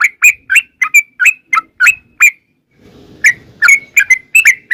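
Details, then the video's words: Yellow-vented bulbul lure song meant to prompt birds to reply: quick bright chirped notes in a fast series, a brief pause with faint low rumble, then the rapid chirping resumes. "trucukan gacor TARUNG ROPEL PANJANG pancingan trucukan agar bunyi jadikan burung trucuk gacor NYAUT"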